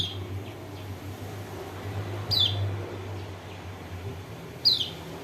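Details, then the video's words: Lure call of a white-eye from Lombok, played to make a sluggish bird sing: two brief, piercing, high falling chirps a couple of seconds apart against a low droning background. "PANCINGAN TERBAIK BUAT PERANSANG KECIAL KUNING MALAS BUNYI ( burung pleci lombok)"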